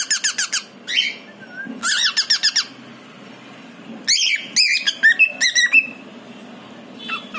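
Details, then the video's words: Calling for its partner, a caged pied male cockatiel gives clusters of quick, bright chirps and sweeping whistles, pausing for quiet stretches between groups. "cockatiel parrot calling it's partner"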